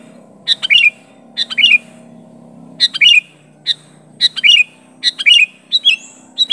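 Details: Calls of a sooty-headed bulbul challenging a rival: clipped, liquid chirp groups of two to four notes with a falling twist, spaced irregularly by roughly a second, over a faint low hum.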